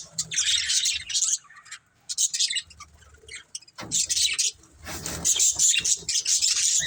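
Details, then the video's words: Several pet budgerigars in a family group chirp in bursts of dense, high warbling chatter broken by short pauses, with faint low rustling beneath. "Cute Budgies Chirping Sounds"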